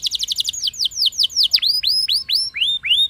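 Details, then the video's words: Canary singing a lure song in rolling style, aimed at making other canaries sing. A quick stuttering trill slows into a series of loud curved whistled notes, each repeated about every quarter second. "Cukup Putar Sebentar Saja Burung Kenari Lain Bakal Langsung Ikut Gacor Ngerol Mewah Dengan Pancingan"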